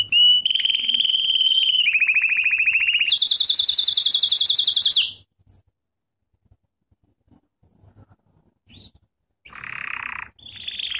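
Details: Canary song used as a training lesson: three rapid trills stepping higher over five seconds, then near silence with two short later bursts of trilling.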